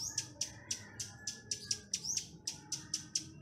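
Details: Chestnut-capped laughingthrush lure song for attracting wild birds: a quick series of bright, clipped high notes, roughly four each second, over a soft background hum.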